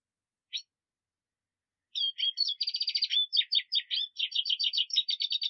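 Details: After one sharp chip, a Black siskin launches into a sustained rapid song of buzzy trills and chirping notes repeated without pause for over three seconds.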